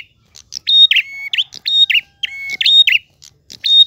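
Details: Prinia singing steadily in the long, flowing 'ngalun' style with a clear voice: phrases of flat, level whistled notes at two pitches mixed with short buzzy chips, repeated about once a second against a quiet background.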